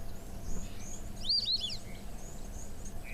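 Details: Recorded call of white-faced whistling ducks, which call while flying past in groups: a short burst of two or three high, clear whistled notes, quickly rising and falling, over a low steady rumble.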